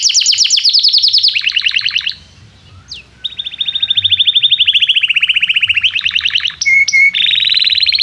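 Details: Excited canary song played to teach young canaries: a rapid high trill, a short silent gap, then a long even rattling trill that falls slightly, a few sharp pure whistles, and a final fast trill.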